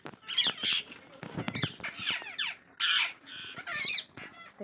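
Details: Wild parrots giving harsh, scratchy squawks and screeches in quick bursts, some rising and falling, with brief pauses between calls and faint human voices in the background.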